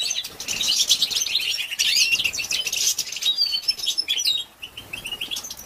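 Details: Female European goldfinch calling to stimulate males. Lively high twittering with quick slurred notes and a few clear whistles, growing thinner and quieter over the final second.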